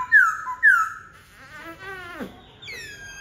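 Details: Black-throated laughingthrush singing: two loud, clear whistled notes that slide downward, followed by softer warbling, wavering phrases and a final bright rising-then-falling whistle.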